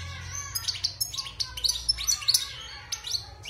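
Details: Post-moult wild European goldfinch, six months caged, sings fast jingling phrases of sharp chirps and rippling twitters, rising in intensity mid-phrase and then tapering off.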